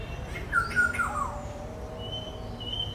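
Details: One loud, raspy black-hooded oriole call that slides steeply downward, followed by a thin steady high whistle from another source and low background rumble.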